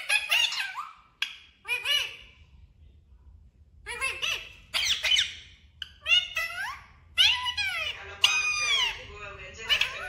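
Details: Pet talking parrot saying "mummy papa": bursts of speech-like, tonal syllables with gliding pitch and some raspy squawks, in clusters with short gaps over about ten seconds.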